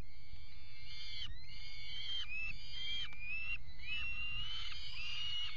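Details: Peregrine falcons copulating on a water tower nest ledge in February 2018: continuous rising, whining wails that run into each other, growing more intense toward the end, over a low mechanical hum.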